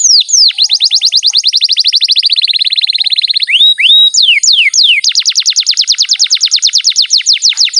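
A canary sings a long, loud rolling song of fast repeated high sweeps, about three per second, with a brief pause before the trills resume.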